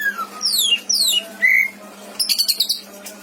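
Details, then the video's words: Kept greater green leafbird singing a rich varied song used as a tutor for other birds: clear downslurred whistles, a short rising note, then a burst of rapid chattering notes. "Burung cucak ijo isian mantap!!!"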